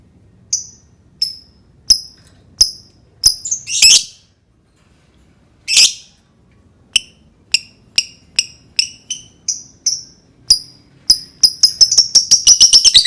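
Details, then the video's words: Lovebird singing, played to get other lovebirds to sing: rapid series of short high chirps and ticks, a few harsh squawks in the middle, speeding up into a fast chattering run at the end. "Suara burung lovebird cocok banget untuk pancing lovebird berbunyi"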